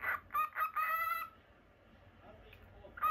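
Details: Caged pet cockatiel of normal lutino colouring, uttering three quick chirps and one longer steady harmonic note, then falling quiet before a last short call at the end.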